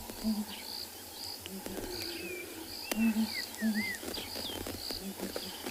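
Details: Southern ground hornbill in a tree on a morning game drive, 1 February 2021, South Africa, gives deep, soft booming hoots in groups of two or three, likened to a musical instrument; other birds whistle, insects buzz, a person talks.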